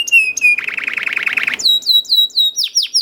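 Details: Short burst of a young canary's lure song, a steady whistled note, then about a second of throbbing buzzy roll, followed by repeated falling chirps at a quick pace.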